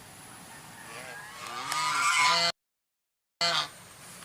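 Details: White swan giving a run of nasal, harmonic honks that swell in loudness, broken by a second of silence, then one short final honk.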